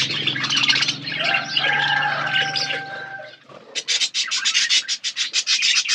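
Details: Budgerigars eating seeds in an outdoor aviary: overlapping warbling with a few drawn-out whistled notes over a low hum, then a series of rapid, sharp, clicking chirps.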